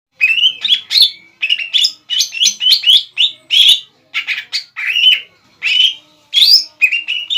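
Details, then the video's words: Greater green leafbird, a kept cucak ijo bahan, singing gacor to provoke a rival into answering: a loud, rapid run of short whistled and chattering notes around the upper-middle pitch, with quick slurs and leaps, nearly continuous. "CUCAK IJO BAHAN GACOR MEMANCING EMOSI CUCAK IJO LAWAN AGAR BUNYI DAN NYAUT"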